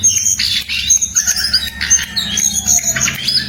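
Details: Jongkangan bird in lively song, giving rapid high chirps, short trills and thin whistled notes in a continuous chattering stream, over a steady low rumbling hum in the background.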